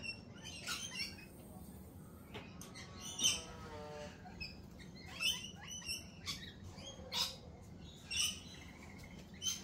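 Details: Lorikeets at a cafe give short, shrill chirps and screeches spaced about a second apart, plus a brief descending chattering run, with a low hum in the background.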